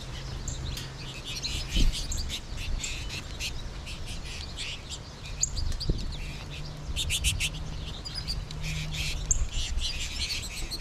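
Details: Many American goldfinches in a flock on 20 March 2021, birds also calling from trees overhead: continuous overlapping high chattering twitters over a steady low hum, with a few soft knocks.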